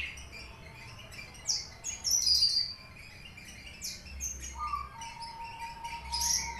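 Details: Caged Horsfield's bush lark of the subspecies aliena from Papua, a bird in full song whose repertoire is filled with finch material. High chirps and sharp rising notes come in short bursts, with a thin steady whistle near the end over a low background hum.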